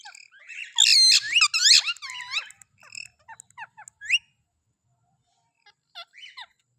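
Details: Green ringneck parrot kept as a pet, bursting into loud harsh chattering squawks, then scattered high squeaky slurred notes and a few soft chirps after a pause.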